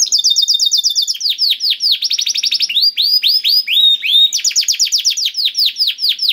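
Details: Canary song played to prompt a quiet canary to sing: loud, high rolling trills of rapid repeated notes, downslurred whistles and buzzy phrases changing tour every second or so, with no other sounds.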